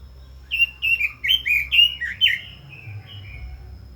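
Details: Red-billed leiothrix singing: a rapid run of about ten warbled, slurred whistles near mid-high pitch, each note dipping and rising, fading into softer trailing phrases, with low background hum.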